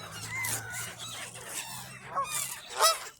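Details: Geese in a park feeding frenzy at Tritiford Mill Park on 27 October 2025, being fed potato chips, crackers and Pringles alongside seagulls; a few short harmonic honking calls rise and fall over a busy background of other calling birds.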